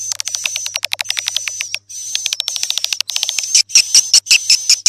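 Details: Swiftlet sounds: rapid trains of sharp, high clicks at about three per second, running into thin, shrill twittering toward the end. A faint low hum lies beneath.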